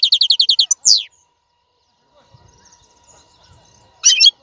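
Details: European goldfinch song described as strongest, clean and error-free, played to teach caged young birds to sing: a rapid run of repeated high chirps, a downward slurred note, a long pause, then a brief high twittering burst.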